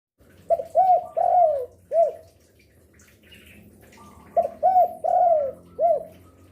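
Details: Spotted dove, an active singer that calls afternoon, evening and night, used as a lure for other doves: two low cooing phrases, each a short note, an arched coo, a long falling coo and a final arched note, separated by a pause.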